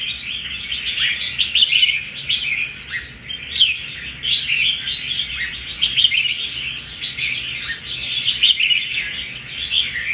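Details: Wild-caught red-whiskered bulbul, about a month after capture, displaying fighting spirit; busy, unbroken chatter of quick chirps and warbling phrases swelling and fading every second or two.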